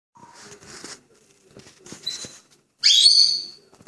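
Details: Pet grey parrot in a good mood, whistling indoors: a short steady low whistle, soft clicks and rustles, then a loud bright rising whistle with strong overtones near the end.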